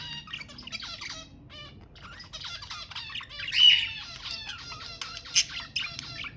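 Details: Budgerigar song to encourage mating: rapid raspy chatter of buzzy pulsed notes and short squeaks, rising to a louder harsh squawk, then a sharp chirp.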